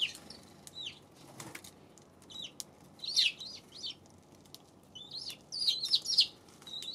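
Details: Several bright chirps from a Eurasian tree sparrow, recorded 7 February, come in uneven clusters, with a brief rustle or flutter early on and low hum behind.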